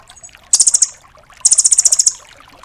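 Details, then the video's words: Velvet-fronted nuthatch ('rambatan doraemon') tutor recording in the full 'tembakan' style. Two bright, very high, rapid trills are heard, the second longer with about a dozen notes. "MASTERAN BURUNG RAMBATAN DORAEMON FULL TEMBAKAN"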